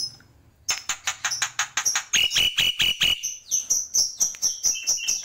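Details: Black-winged myna, called jalak pito, pouring out a tembakan song: a rapid series of about twenty sharp, repeated chips, shifting from lower notes to higher whistled ones partway through.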